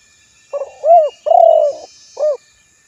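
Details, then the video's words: Spotted dove calling close by in a four-part phrase, a clipped start, an arched coo, a drawn-out burry coo and one brief closing coo. "suara burung tekukur terbaru"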